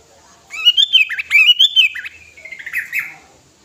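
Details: Sooty-headed bulbul, five years old, in full lively song meant to attract other birds: a loud, continuous run of warbled, slurred whistles rising and falling, then softer trailing phrases that fade out.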